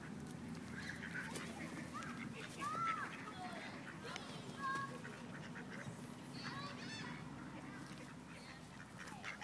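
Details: Group of ducks in Wilmington, North Carolina, rejected males forcing mating on a female; scattered quacks and short whistled upward notes over a constant low rumble, with faint voices mixed in.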